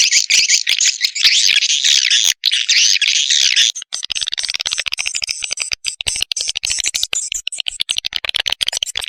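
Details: Swiftlet chicks calling, played to lure swiftlets: loud, high twittering for a few seconds, then a fast rattle of fine clicking pulses.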